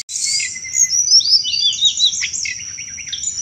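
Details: Sunda robin delivering a lively chattering song meant for luring thrushes: a long, high, thin whistle running into a fast tumble of sliding, twittering notes that drops slightly in pitch at the end.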